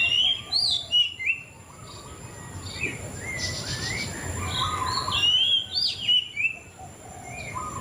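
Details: Varied, fluty song of a white-rumped shama, with loud whistled bursts at the start and end and softer warbled notes in between. Steady noise runs throughout.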